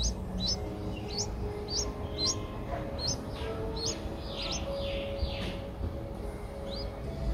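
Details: Streak-eared bulbul chicks at eight days old, Ubon Ratchathani, Thailand, 10 April 2023; quieter run of short high rising squeaks spaced about half a second apart, with soft hissing sweeps and steady low hum.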